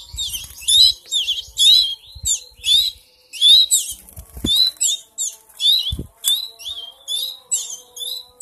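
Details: Three-week-old canary chicks being hand-fed, begging: rapid bursts of shrill, high chirps repeated roughly once a second in a busy run, with soft low thumps and knocks of handling beneath.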